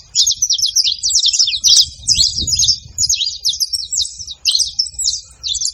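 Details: Free-living Saffron finch calling at a feeding spot, a busy stream of sharp high chips and quick downslurred notes, loud and unbroken, with soft low thumps and handling noise beneath.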